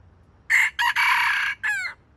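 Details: Stuttering crow of a decoy red junglefowl luring wild birds toward a trap: four joined harsh segments, the longest in the middle, closing on a quick downward-sliding note, with faint low background hum.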